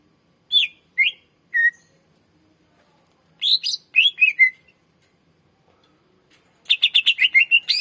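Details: Singing greater green leafbird, recording played to lure and train other birds: three separate falling whistles, a pause, a short jumbled phrase of slurred notes, then a fast rattling series of sharp repeated chips.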